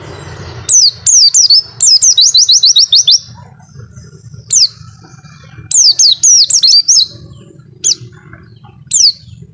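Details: Mountain white-eye singing a long 'wit-witttt' song: bright, high chirps in fast descending strings, several notes a second in bursts, separated by short pauses, over a faint low hum.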